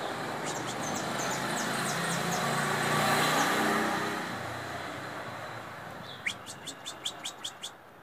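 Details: A free-flying white saffron finch singing a run of seven sharp, high chirps about every quarter second, after faint scattered chirps and a passing vehicle's rumble.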